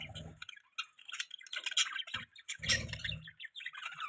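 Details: Pet budgerigar chatter: dense, rapid squeaky and clicking notes with brief gaps, mixed with low thumping noises.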